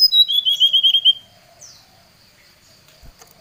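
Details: Brown-chested jungle flycatcher calling out a rival, in an agitated lure song: a quick run of about seven short whistled notes sliding downward, then near silence broken by a soft click at the end.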